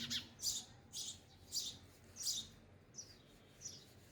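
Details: Sparrows eating at a feeder give short, sharp, high chirps, about seven bursts in four seconds, spaced unevenly, with quiet background between them.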